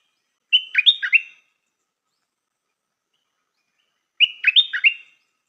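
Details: Decoy stripe-throated bulbul singing its lure song: two matching short phrases, each a clear whistle followed by three or four rich bubbling notes, separated by about three seconds of silence.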